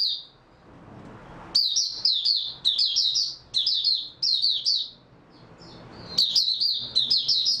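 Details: Oriental white-eye singing, recorded on 3 March 2022 after a good night's sleep; high, rapid twittering phrases in bursts of about a second, separated by short pauses, with a quiet gap at the start.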